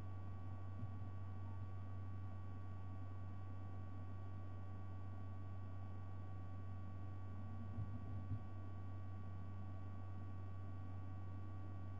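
Steady low electrical hum with faint hiss and a few soft thumps, and no animal calls.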